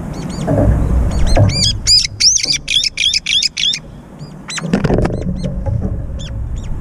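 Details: Brown-eared bulbuls fighting over food at a feeder, chasing each other in the air. Rapid bursts of high, shrill arched squeals, densely repeated, then a pause and more scattered squeaks, with low rumbling noise.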